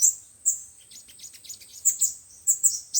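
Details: Sunbird song of five-colour and seven-colour types, used as speaker playback to trap wild birds: sharp high chips at irregular intervals, with softer faint twittering between them.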